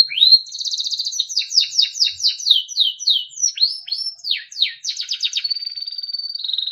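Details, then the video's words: Timbrado canary singing a melodic training song: rapid rolling trills of high, sweeping notes, a few faster chopped bursts, then a long steady high whistled note, clean with no background sounds. "Timbrado canary singing beautiful melodic songs for training"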